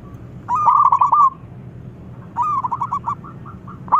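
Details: Local zebra dove giving loud calls meant to provoke replies: two stuttered, trilling coo phrases about two seconds apart, the second trailing into separate bouncing notes.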